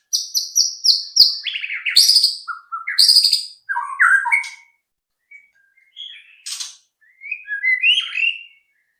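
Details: White-rumped shama song meant to provoke other shamas to sing: a rapid series of high repeated notes, then descending buzzy slurs and fluty whistles, quieting to scattered chirps before a final rising whistled phrase.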